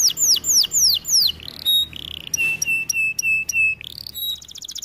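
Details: Training song of a canary: a few swooping down-slurred whistles, a short buzz, then pure flat whistled notes repeated in a slow even row, closing with a quick high trill.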